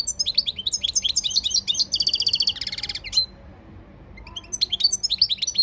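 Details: European goldfinch training song, rapid tinkling twitters leading into a buzzy trill, a pause, then twittering phrases start again.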